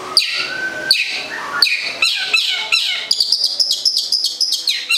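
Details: Long-tailed shrike from Gedong Songo, Central Java: sharp clipped notes with scratchy tails at first, then a quicker string of bright, rapidly repeated chips.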